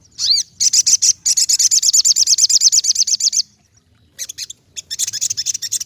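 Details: Ruby-cheeked sunbird with an upslurred whistle followed by long, rapid runs of high, evenly pulsed notes lasting several seconds, then a short pause and more fast twittering.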